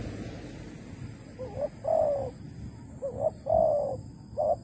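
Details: Malaysian spotted dove used as trap decoy, August 2020; mellow two-part coos, a short rising note then a longer purring one, repeated three times over a noisy rustling background.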